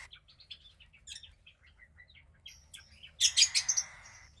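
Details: Cockatiel chick about 15 days old, second hatchling of a pied pair, making soft scattered high chirps that build into a loud raspy, rhythmically pulsing burst.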